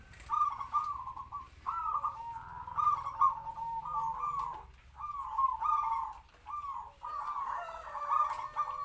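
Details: Medium-voiced local zebra dove kept as a decoy in a small open cage near other doves, repeating short trilled kwor kwor coo phrases, roughly every couple of seconds.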